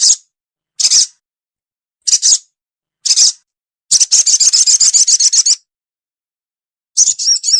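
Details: Sogon lure call for a reluctant bird: several short, isolated high buzzy bursts, then a long rapid trill of fluttering high notes, ending with a wavering chattering phrase.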